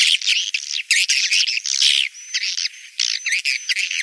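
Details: Breeding-season lure call of edible-nest swiftlets for the rainy season: loud, harsh squawking twitters in quick bursts, a faint steady high whistle in a brief lull, then more rasping chatter.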